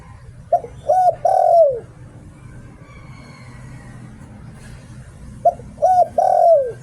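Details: Captive spotted dove used as a decoy bird in Thailand, singing in the "Liu Tan" style: two phrases of low, mellow coos, each a short note, a hooked note and a long drawn descending coo, separated by about four seconds of quiet.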